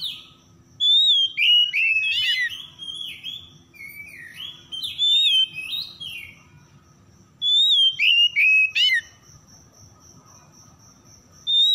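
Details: Oriental magpie-robin song used to coax silent birds into singing: loud whistled phrases with quick rising and falling notes, quieter swooping passages between, another loud burst near the end.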